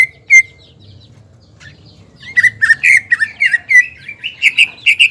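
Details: Caged greater green leafbird singing to goad a rival: two lone whistles, a pause, then a tumbling series of varied slurred and buzzy notes building in loudness, with a low hum throughout.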